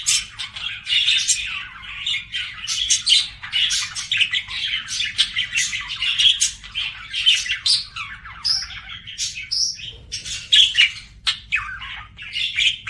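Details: Budgerigar singing: a continuous, rapid, chattering warble of scratchy high notes, clicks and short whistles, rising and falling in bursts, with occasional clearer piping notes near the end.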